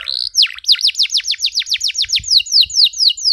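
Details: Canary in vigorous song, the ornate 'cengkok mewah' phrasing used to tutor young birds: a long steady series of about fifteen sharp down-slurred whistles delivered rapidly and evenly.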